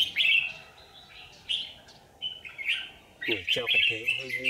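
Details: Red-whiskered bulbul singing as a lure bird at a trap on 27 January 2019: clear warbling notes in short phrases, with a man's voice breaking in over the last second.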